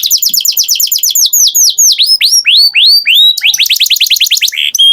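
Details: Canary song: a fast trill of downslurred notes slows into longer, looping rising-falling sweeps, then speeds up again into a quick trill and a short buzz.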